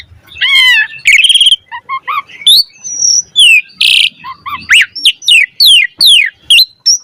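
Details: Asian pied starling pumping out 'gacor' song with elaborate 'isian' fill-ins, played to encourage other starlings: wavering trills, a harsh noisy burst mid-phrase, then a string of loud steeply rising whistles.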